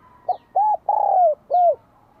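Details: Spotted dove from Vietnam in bell-voiced song, welcoming spring 2023: a single phrase of a short note and then two longer arched coos, the middle one drawn out, with faint high twittering.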